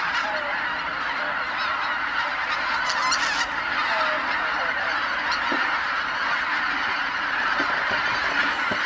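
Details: Wild geese by the tens of thousands returning to Kabukuri-numa marsh at dusk from feeding, all calling at once as night falls; a dense, continuous clamour of overlapping honking calls with no pause, brief louder nasal notes standing out around three seconds.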